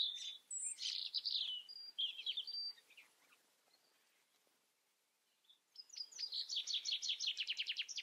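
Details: European robin song: squeaky, warbled, high notes, then a pause of a few seconds, then a rapid, regular trill of repeated sharp notes.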